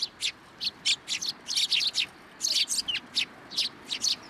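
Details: Sparrows arriving for food first thing in the morning at a Tenmangu shrine, 18 October 2022; a lively run of about twenty short, bright chirps in quick succession, some paired, over a quiet background.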